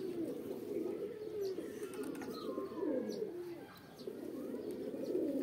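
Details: Pigeon mating call of soft, low rolling coos that rise and fall in waves, with a few faint higher chirps and whistles mixed in over steady background hiss.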